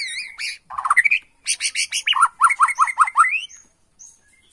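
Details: Agitated Bornean white-rumped shama singing as a lure: falling whistled notes, then harsh buzzy bursts, then a run of about six repeated rising-falling notes.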